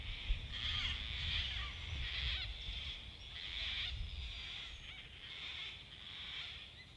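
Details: Gang-gang cockatoo in the Australian bush giving its creaky-door screech: rasping, grating calls repeated roughly every second, over low background rumble.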